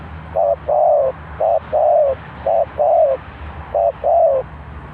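Spotted dove cooing in paired notes, a short coo then a longer falling one, repeated about once a second. Faint low background hum.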